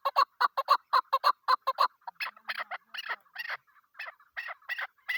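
A female chukar gives a fast run of clucking chuk notes, about five a second, then slows into harsher, drawn-out chukar phrases.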